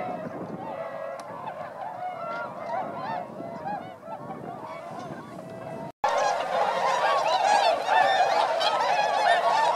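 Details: Flock of swans in flight over rice fields at Motono, Inzai, Chiba, Japan, in December 2014, part of 905 wintering birds; dense overlapping honking and bugling calls from many birds, with a brief break before louder calling resumes.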